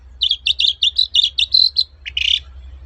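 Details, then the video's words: Long-tailed shrike singing actively in toet-toet style, a lure for silent shrikes: a rapid series of about nine bright warbled notes at steady pitch, ending in a brief rising chip and a raspy note. "BURUNG CENDET GACOR TOET-TOET, memancing cendet macet kembali gaco"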